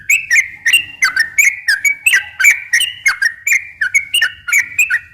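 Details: Lively song of a sooty-headed bulbul, played to attract wild bulbuls: short, gurgling whistled phrases repeated at an uneven pace, some notes sliding down and others jumping up, with a quiet background.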